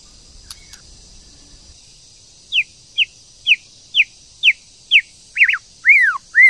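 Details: White-rumped shama, female, calling to stimulate a male to sing: after quiet ticks, a steady series of short, high, downward-sliding notes about every half second, ending in three arched whistles.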